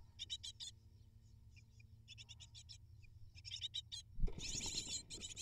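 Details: Great tit nestlings, eight of them, calling as prey arrives: scattered bursts of high raspy cheeps, then a loud thump followed by an intense, continuous frenzy of shrill begging.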